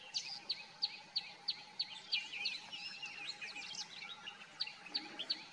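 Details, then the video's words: Repeated sharp chirps from a common myna, roughly three per second, breaking midway into a jumbled chatter of squeaks and whistles, then resuming the chirping, over faint hiss. "The common myna Song / Indian myna Singing"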